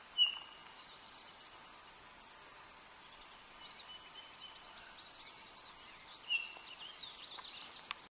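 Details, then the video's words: An American robin gives an odd call, two short, high, pure whistled notes like a Townsend's solitaire's call note, six seconds apart, at a campground in Eastern Washington; faint twittering and soft hiss follow. "Odd robin call"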